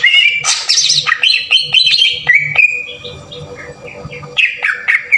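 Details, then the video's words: Green leafbird song played as a lure to provoke other birds into singing, a rich rapid medley of harsh and whistled notes, slurs and chatters, with a steady low hum beneath. "PANCINGAN PENDONGKRAK EMOSI CUCAK IJO TEMBAKAN KASAR"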